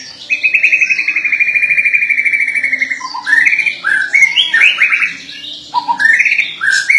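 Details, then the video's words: White-rumped shama in vigorous song: a long, even rapid trill near the upper-middle range for about three seconds, then a run of varied rising and falling whistled phrases with harsher notes between them. "Murai Batu gacor chirping"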